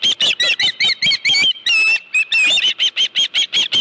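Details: At a ranch nest in late afternoon, an osprey with a live fish gives an insistent stream of high, squealing whistled chirps, briefly running into longer drawn-out notes midway, then returning to a steady rapid beat.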